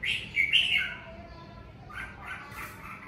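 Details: Red-whiskered bulbul song in the covid season: a loud, bright warbled phrase at the start, then softer whistled notes trailing off over a low hum.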